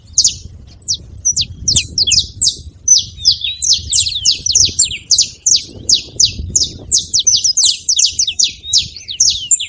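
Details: Saffron finch noisily calling in a tree, a long dense series of sharp high chirps and buzzy slurs, speeding into rapid overlapping notes; faint low background rumble.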